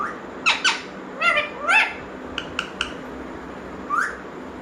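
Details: A talking parrot gives short harmonic squawks and rising, speech-like syllables in a few bursts, then a brief pause with three sharp clicks and a final rising squawk, over steady low background hiss.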